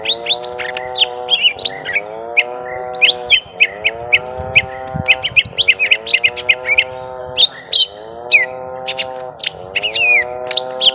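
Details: Young lesser green leafbirds in a long fight: rapid, varied sharp chirps and short whistled notes, many sweeping up or down, in quick irregular bursts over a steady low droning hum.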